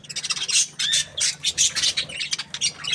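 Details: Happy budgerigar chirping: dense, high, scratchy chatter of quick chirps and squawky notes in short bursts about every quarter second, with brief gaps between phrases.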